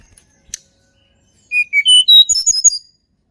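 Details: Sunda robin song of natural origin, used as a lure to prompt reluctant birds to sing: a short phrase of clear whistled notes that climb stepwise from low to high, ending in quick sharp high notes, after two faint clicks.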